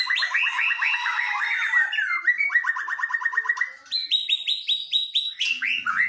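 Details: White-rumped shamas, a Medan bird against a forest bird from Nias, in a singing duel: rapid trains of repeated clear whistled notes, shifting between low and high series, with sharp rising flourishes at the end.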